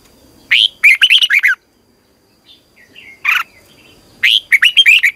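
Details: Red-whiskered bulbul in dawn song training, three loud bursts of rapid, slurred whistled notes with a quiet pause and soft short calls between them.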